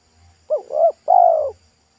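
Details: Spotted dove singing in a pesom style beside a road, voice thick and loud. Two quick mellow hooting notes, then a drawn-out falling coo, together about one second. Slight low rumble in the background.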